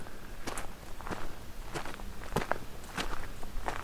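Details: Footsteps crunching and rustling outdoors at an uneven walking pace, with no animal voice heard.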